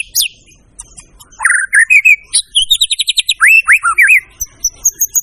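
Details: White-rumped shama singing loudly: a sharp descending note, then looping whistles, a quick rattling series of high ticking notes, and rising-falling whistled phrases repeated in rapid succession.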